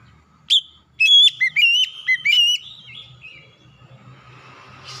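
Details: Oriental magpie-robin song meant to spur a stressed, untrained bird to sing: one sharp note, then a quick cluster of bright whistled slurs around one second, trailing into quieter wavering notes and faint hum.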